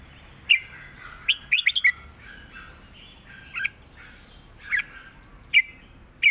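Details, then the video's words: Red-whiskered bulbul singing southern Thai style: a quick burst of four tumbling chirps early on, followed by widely spaced single sharp phrases over a faint hiss. "สดจัด!!ร้อง+ริก เพลงใต้แม่บทชัดๆ วนเพลงสวย(ไว้สอนนก)"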